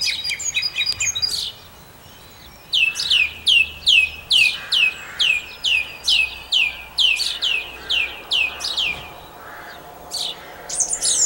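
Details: Song thrush in song at Campbeltown, April 2012: a brief jumbled phrase, a pause, then a run of about fourteen identical sharp descending notes at an even fast pace, ending with a high squeaky flourish.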